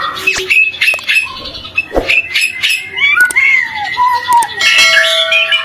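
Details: Lure song of the white-rumped shama, meant for morning and evening. Snappy clicks and short whistles give way to a sequence of smooth, sliding whistled notes that fall and rise.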